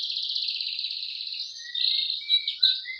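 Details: Male white-rumped shama singing in the morning while sunbathing: a sustained, rapidly warbled high band, then shorter clear whistles and slurred notes that drop lower.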